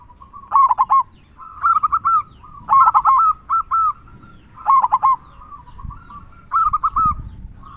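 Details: Zebra dove of local stock singing actively with a big 'kung' voice: bubbling coo phrases repeated roughly every second, loud and clear over a quiet background.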